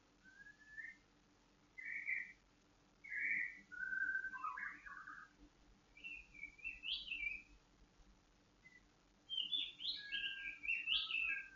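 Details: White-rumped shama in a cage, aired in the dew for emotional stability and breeding readiness: varied phrases of short whistles, chirped notes and tumbling warbles separated by brief pauses, ending in a busy, high, twittering burst.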